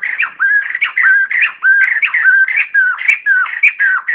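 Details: Noise-free recording of a white-crested laughingthrush calling its flock: a steady, continuous stream of loud looping whistles, each dipping then rising, repeated nearly twice per second.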